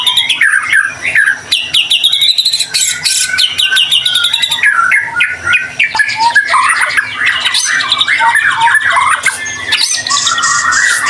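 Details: White-rumped shama singing steadily as a lure to set other shamas singing: a long varied stream of rich whistles, harsh chattering bursts, rising and falling slurs and quick repeated clicks with almost no pauses.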